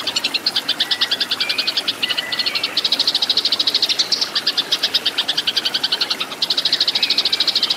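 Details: Eurasian tree sparrow fighting song, used as training material for cage birds: rapid, loud, clear chirps repeated about twice a second in long chattering runs, with a brief pause and a faint thin slurred note near the middle.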